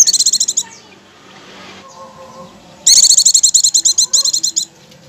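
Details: Pleci, the Oriental white-eye, giving ngecir song meant to prompt other pleci into singing straight away: a short high chattering burst, a pause, then a longer run of quick, piercing chirps repeated rapidly.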